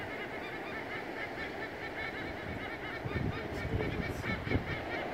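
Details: Two white-bellied sea eagles flying high at Boomerang Point, NSW, call to each other with loud, goose-like honking in quick, uneven series, over a steady rush of wind.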